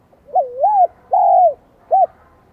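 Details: Spotted dove singing in the high 'giọng son' style: a looping double coo, a longer smooth falling coo, then a brief clipped final note, all clear against near silence.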